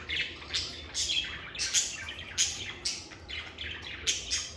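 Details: Pet lovebirds in a calm, stress-free environment giving sharp, shrill chirps repeated roughly every half second in an uneven rhythm, with faint background noise.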